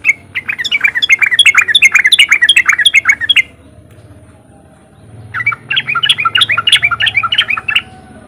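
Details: Sooty-headed bulbul singing its riwik song, used to stimulate other bulbuls to sing: loud fast bursts of bubbly, warbling chirps, a three-second run, a short gap, then a second lively burst over low steady hum.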